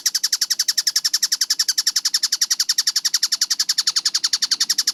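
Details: Tengkek buto (collared kingfisher) in a fast, tightly spaced training recording: a rapid, even stream of sharp, harsh chattering notes, roughly nine per second, high-pitched and clean with no other sounds.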